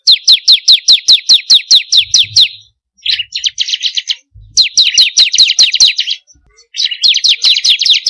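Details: Bar-winged prinia song played to get kept birds singing: long runs of rapid, sharp downslurred notes, broken by scratchy, buzzy chattering phrases and a few low knocks.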